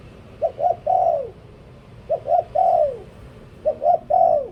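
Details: Spotted dove kept as a decoy bird, singing three phrases about a second apart, each with two short coos and then a longer coo that falls away, over a soft low background.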